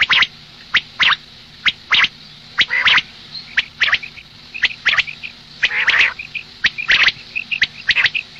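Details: Morning calling by a female common quail: a steady series of sharp, raspy clicks, some longer grating bursts, and short high peeps between them, roughly one cluster a second.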